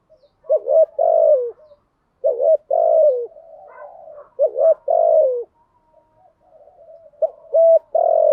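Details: Lure-call spotted dove, repeated phrases of two short coos and a drawn-out falling coo, with faint soft murmurs between phrases, rhythm fairly steady.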